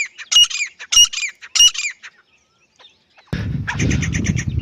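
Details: Grey francolin (teetar) calls: a few loud, harsh, ringing notes, a pause, then a burst of rough broadband noise covering the end.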